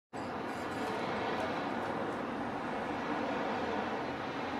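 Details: A steady, loud roar of passing rail or road traffic fills the whole recording, with no animal call audible above it.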